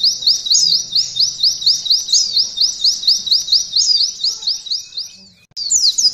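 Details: Pleci, or white-eye, performing canary-style 'nembak' training material: quick repeated high upslurred whistles run for about five seconds, fade briefly into silence, then resume with a loud twittering burst.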